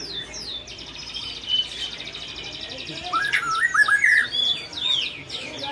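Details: White-rumped shama making a strange sound: high buzzy rattling chirps followed by a burst of warbled whistled notes rising and falling, rapid and varied.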